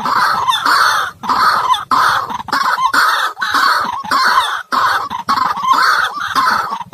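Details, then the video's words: White-breasted waterhen calls broadcast to attract birds into traps: rasping, grunting phrases repeated steadily in roughly half-second bursts with brief gaps. "Jerat burung ruak ruak dan suara ruak ruak paling ampuh"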